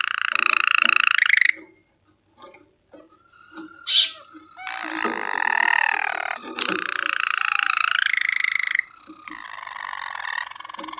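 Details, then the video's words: Singing water canary with long, rolling, watery trills. Passages last one to four seconds, shift in pitch, and are broken by brief pauses, clicks and a short bright note. "water canary singing"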